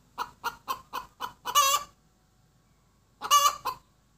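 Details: Hen cackling after laying: a run of six evenly spaced short clucks climbs into a long strident squawk, then after a pause another squawk with a cluck.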